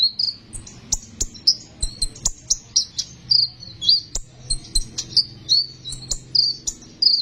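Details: High, piercing sunbird song meant to lure birds into singing: quick chirped notes and short downslurred whistles in an unbroken, even stream, with occasional sharp clicks.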